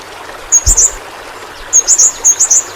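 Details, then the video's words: Yellow-rumped flowerpecker, a small Kalimantan endemic, singing for caged-bird tutoring: two short bursts of very high, thin chittering notes, a brief low thump near the start. "Burung Pentis Pelangi Masteran Bagus Untuk Burung Figther"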